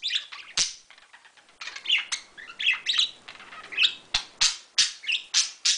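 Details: Bluebird singing energetically, a rapid run of bright chirps and short warbled notes, with sharp accented notes repeating about every third of a second toward the end.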